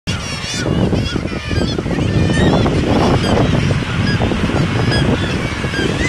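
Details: Gulls, seabirds, calling repeatedly in a loud crowd: many overlapping harsh, wavering cries with rising and falling tones over a dense low rumble of surf or wind and background noise.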